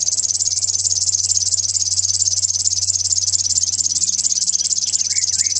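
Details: Continuous river warbler song from Zvārde, a high, dry, pulsing buzz with an even mechanical rhythm throughout, like a cricket, with faint bird notes near the end.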